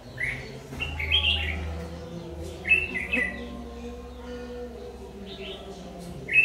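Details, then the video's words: ['Red-whiskered bulbul of the Má lỡ type, fierce-voiced, singing on 22 August 2019 while being trapped with a decoy bird; several short, bright, chattering whistled phrases spaced a second or two apart over a low droning hum.'] "Bẫy chào mào Má lỡ giọng cực gắt"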